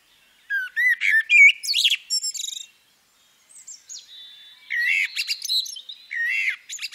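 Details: Common blackbird, female, singing a loud fluty warble with shrill twittering notes. After a brief quiet spell, a softer second phrase of whistles and squeaks follows.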